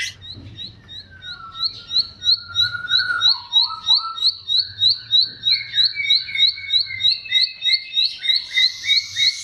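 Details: Song of the bar-winged prinia, or ciblek, played as a lure for birds that will not sing: a steady train of crisp high chips about three per second beneath long slurred whistles and lower trilled phrases.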